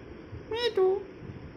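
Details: Pet parrot, molting and missing feathers, talking with its owner indoors: a brief two-part speech-like utterance, the first part wavering and the second steadier, over a constant low room hum.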